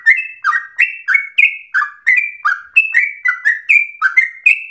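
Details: Yellow-vented bulbul (trucukan) singing a long 'ropel' run compared with straw-headed bulbul song: alternating rich falling notes and clear higher whistles in a quick, irregular rhythm, in quiet surroundings.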